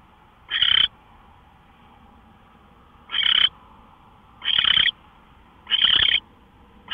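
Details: Owl at 5:27 AM on 24 March 2013 producing four short, rasping screech-like bursts, spaced irregularly between about one and two and a half seconds apart, against a quiet low hum.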